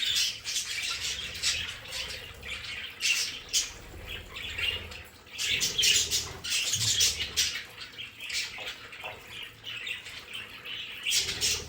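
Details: Several pet budgerigars in their home play area chattering together: dense, overlapping high chirps and scratchy warbles in rapid bursts, with brief pauses and soft rustling and wing flutters underneath.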